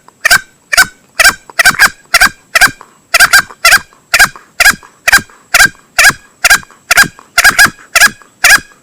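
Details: Male green junglefowl hunting lure: nearly continuous short, loud, rasping notes, about two per second, occasionally doubled, with no other sounds.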